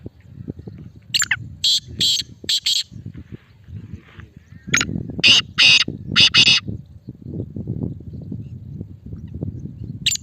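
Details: Male black francolin (kala teetar) giving its strong calling voice: two phrases of harsh, broadband, rasping notes, each a quick run of about four bursts, over a low rumbling background noise.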